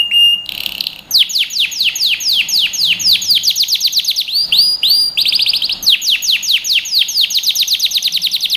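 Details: Melodious canary song used to train young birds, mostly long tours of loud descending sweeps repeated several times a second, broken by a brief buzzy passage and curling whistled notes.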